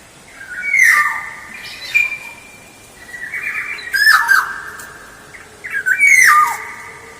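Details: Black-naped oriole lure song: three loud fluting phrases about two seconds apart, each a wavering whistle with harsh nasal overtones sliding downward, over faint steady background hiss.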